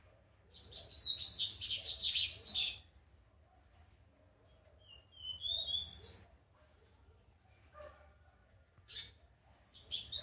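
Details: Rusty-collared seedeater youngster practising its first song notes, giving loud buzzy, scratchy high warbled bursts of two seconds, a brief descending whistled slur, then isolated sharp chips and another rough phrase starting at the end.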